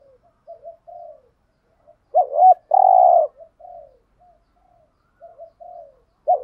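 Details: Male and female spotted doves cooing as a lure for wild doves in the 'thúc gù' style; faint low coos, then a quavering double note and a long, loud, steady coo, with soft coos after and another phrase beginning.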